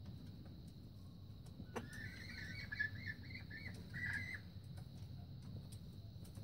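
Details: Young red junglefowl recorded in 2019 giving an immature crow: a thin, wavering, broken phrase of about two and a half seconds, rising and dipping in short segments, over a steady low rumble of background noise.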